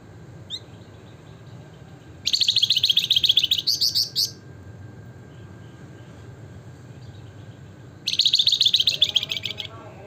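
Javan fulvetta giving two rapid bursts of high, chattering notes, each about two seconds long, with a lone chirp at the start over a low background hum.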